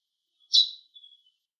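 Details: Single clear chirp from a Eurasian tree sparrow's plain call note. It drops off fast and is followed by a faint thin trailing tone, with otherwise quiet surroundings.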